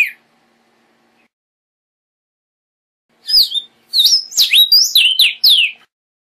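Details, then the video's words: A short whistled note, then silence, then a Vermilion cardinal bursts into a phrase of about eight loud, clear whistles that rise and fall, the last ones dropping steeply. "Cardenal Guajiro Canto!"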